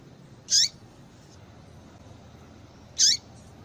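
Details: A female double-collared seedeater gives a brief, sharp, high call that slides downward, repeated once after roughly two and a half seconds, meant to get males singing; soft background hiss throughout.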